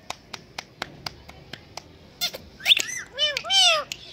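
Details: A series of evenly spaced clicks is followed by an Indian green ringneck parakeet, a pet talking parrot, giving loud, arched squealing calls and a drawn-out harsh squawk.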